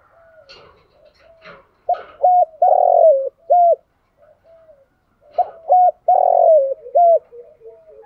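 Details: Decoy spotted dove coos to entice wild doves. Quiet low murmurs lead into two loud phrases, each a pair of short level coos, a long rolling falling coo and a closing short note, a few seconds apart.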